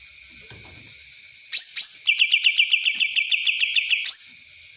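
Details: Cucak ranting, the Black-headed Bulbul, singing in the kapas tembak style: a brief high whistle, then a fast run of about a dozen clear, evenly spaced chirping notes, ending in another whistle, with quiet background.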